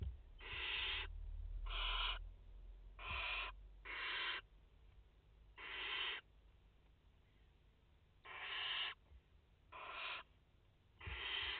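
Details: Barn owl family at the nest in France, mother and four chicks, 30 August 2021; a run of nine rasping hiss bursts, uneven in spacing, some in quick pairs, over low rumbling.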